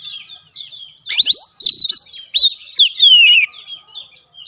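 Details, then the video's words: Kacer (Oriental magpie-robin) training song meant to prompt a caged bird that has stopped singing. A soft lead-in, then loud whistled notes that slide down, with short chirps and pauses between phrases. "BUAT KACER MACET || SOLUSI MASTERAN MUJARAB"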